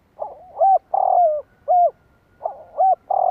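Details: Calling spotted dove used to rouse other doves: a hoarse lead-in, a rounded coo, a long buzzy coo that drops in pitch, another clear coo, then the sequence starts again, with a quiet background.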